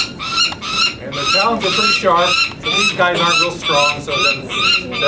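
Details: Peregrine Falcon chicks calling as leg bands are clamped on during banding at Market Tower, Indianapolis, Indiana, May 2009, excited and unused to people; harsh repeated cries mixed with lower voices of people talking.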